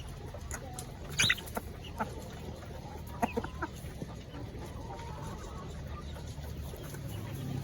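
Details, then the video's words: Ayam kampung village chickens and laying hens in their coops at feeding time; a loud harsh squawking burst stands out among scattered short clucks, over a steady low hum and faint background chatter. "Ayam kampung"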